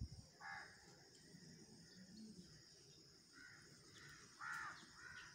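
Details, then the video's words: Pet ringneck (Kashmiri) talking rose-ringed parakeet gives about six short, harsh, nasal calls at an uneven pace over a steady high hiss and low indoor rumble. "Naughty Talking Parrot | Ringneck Kashmiri Talking Parrot"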